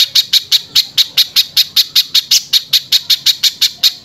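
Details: Velvet-fronted nuthatch in full harsh-voiced song used as a training recording for other birds: rapid series of sharp, buzzy high notes, about five per second, steady and even throughout.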